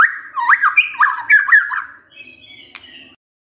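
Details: White-rumped shama provoking song: a quick burst of warbled, looping mid-pitched whistles and chattering slurs lasting about two seconds, followed by a fainter, thin high note that fades out.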